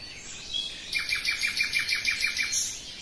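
A common nightingale sings a soft whistled lead-in, then a fast, loud run of about ten identical sharp notes, roughly six a second.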